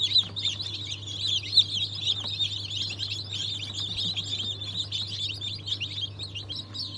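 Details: Day-old Cream Legbar, Australorp and Ayam Cemani chicks hatched 07.02.2023, many birds cheeping at once in quick, high-pitched overlapping notes, backed by an unbroken low mechanical hum.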